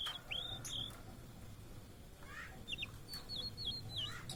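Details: Blue-and-white flycatcher, a migrant often seen in Indonesia, singing clear whistled phrases, some level and some dipping or rising, in two bursts. Fainter chirps from other birds and a low background rumble are also heard.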